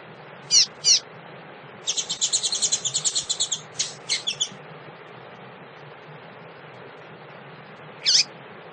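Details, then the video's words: Female double-collared seedeater calling to stimulate males: sharp high chips, then a quick run of rapid twittering notes of about two seconds, more chips and a final note, over steady low background hiss. "fêmea de coleiro chamado pra esquentar,"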